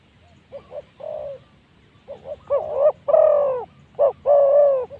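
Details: Decoy spotted dove luring wild spotted doves at spot 136, giving loud mellow coo phrases: quick double notes followed by long sustained coos, several phrases in succession.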